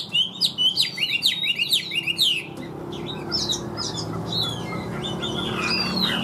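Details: Caged Chinese hwamei singing steadily: a rapid run of loud, high whistled notes sliding up and down, repeated in quick bursts for about two and a half seconds, then softer varied whistles and chirps over a faint room hum.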